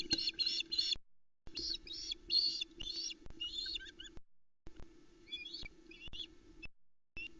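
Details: Osprey family at a Loch Arkaig nest, Scotland, 7 July 2020, evening (20:40): hungry young mob the male arriving with a small trout, giving bursts of shrill, high chirping whistles in rapid excited series over a low electrical hum.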